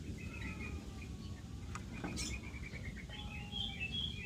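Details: Young zitting cisticola giving a quick run of short, thin repeated chirps at an even pitch, followed by a few higher scattered notes, over a steady low rumble of background noise.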